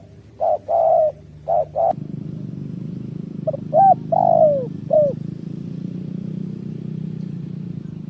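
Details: Spotted dove call used to lure birds for trapping, short coos and a falling drawn-out note in the first five seconds, then only a steady low rumbling hum.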